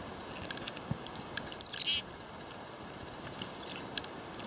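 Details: Chickadees swarming in a non-stop feeding frenzy, some perching on the person feeding them, two nuthatches also present, give thin, high chips in quick bursts with a short rough buzzy note mixed in; soft outdoor hiss underneath.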